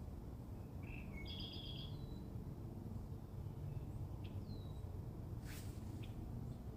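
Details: Red-winged blackbird in Minnesota: a short high note, then a buzzy, rattling trill held about half a second. A few faint, brief chips follow over a constant low rumble of wind or distant traffic.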